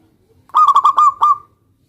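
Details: A local zebra dove calls out to a rival to make it respond, giving one lively phrase of six rapid rolling notes with a slurred, fading tail.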